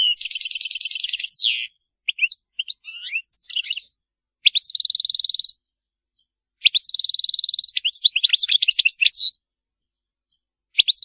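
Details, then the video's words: European goldfinch singing Maliki-style song without mistakes: a rapid rattling trill, sparse chips, two bouts of steady buzzy trilling separated by silence, mixed with quick liquid twitters, and one closing note. "تغريد الحسون المالكي خالي من أخطاء"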